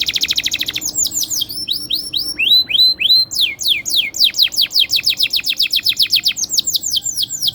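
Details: Canary in full long-rolling song, played to draw other canaries into singing; a fast trill, then repeated sharp downward-sweeping notes in quick, evenly spaced runs.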